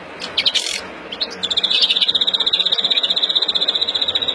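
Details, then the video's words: Agitated European greenfinch, Verdune mutation, singing its breeding song in April 2016: a few scattered chirps, then a regular fast trill of high, evenly spaced pulses to the end. "Kızgın flurya kuşu üretim ötüşü"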